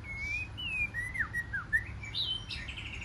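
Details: Competition song of a wild-caught white-rumped shama, a run of rich, varied whistled phrases that slide up and down in pitch, some falling sharply, with a faint low background hum.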